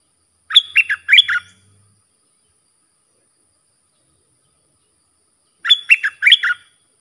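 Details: Sooty-headed bulbul song meant for coaching young birds and luring aggressive wild birds. A quick, clipped phrase of chirpy whistled notes, repeated once after about five seconds of quiet.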